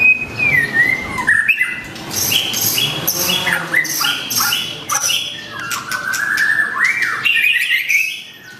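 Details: Long-tailed white-rumped shama delivering a varied song: a long descending whistle, then harsh squawky notes and rapid chattering, ending in looping rising whistles.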